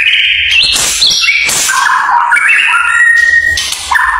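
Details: White-rumped shama at a bird song competition, said to bow before the judges; a loud, rapid medley of clear whistled phrases that jump between high and mid pitches, with sweeping slurs and short buzzy notes, nearly continuous for four seconds.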